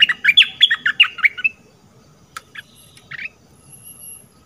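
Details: Red-whiskered bulbul from southern Thailand used as a lure. Rapid squawky chirps tumble out for about a second and a half. Scattered thin notes and a faint high tone follow in the quieter second half.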